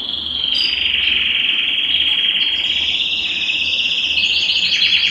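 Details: Steady rolling trill from a Belgian canary, sung to stimulate males and condition females, continuous and high-pitched throughout five seconds with a slight rise in pitch near the end.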